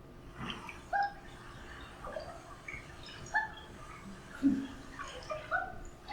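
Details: Common Loon, a wintering bird on Lake Jocassee, South Carolina, giving soft, short hoots and mellow notes scattered about once a second, the quiet chatter loons make when feeding. Quiet room hiss underneath.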